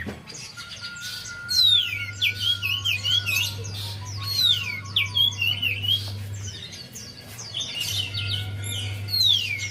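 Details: Javan white-eye song as lure for a reluctant singer; repeated bursts of high, rapid chirps and falling whistles with short gaps, a faint steady tone and low humming background.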